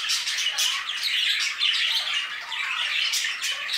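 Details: Budgerigars kept in an aviary chatter in an unbroken mix of trilling warbles, chirps and harsh squawks from several birds together.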